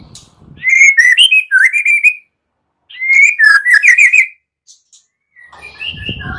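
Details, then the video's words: Morning lure of white-rumped shama song to prompt shamas to sing. Two rich phrases of slurred, looping whistles, each about one and a half seconds, separated by silence, with a faint whistle and low rustle after. "PANCINGAN MURAI PAGI HARI GACOR FULL KRETEK"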